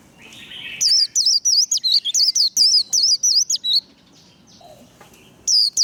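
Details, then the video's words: White-eye in captivity giving líu đấu fighting song for training: a rapid run of high, looping twittered notes lasting about three seconds, then a pause with a faint lower chirp before another burst starts. "Vành khuyên líu đấu. Khuyên líu kích bổi. Kích lửa vành khuyên líu đấu"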